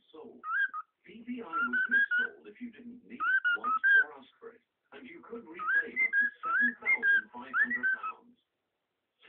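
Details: Cockatiel (Nymphicus hollandicus) singing excitedly at a mirror, mixing clear rising whistles with buzzy, chattering notes in quick bursts.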